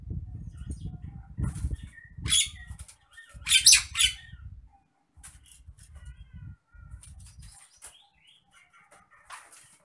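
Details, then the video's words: Nias hill myna, a caged bird, agitated, giving loud, harsh, broadband screeching calls in bursts, with a low rumbling background noise underneath and quieter scratchy notes in between. "MASTERAN BURUNG JALAK NIAS NGAMUK"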